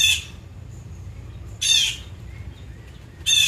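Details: Wild blue jay in natural habitat giving three loud, harsh, raspy squawks about one and a half seconds apart, each short and broad-toned, over a low steady background rumble.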